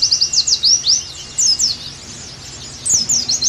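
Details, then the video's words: Pleci, the Oriental white-eye, singing as a tutoring recording for caged birds: high, thin slurred whistles in quick bursts, a short quiet gap in the middle, then more bright downslurred notes. "Terapi + Masteran Agar Pleci Gacor Kembali"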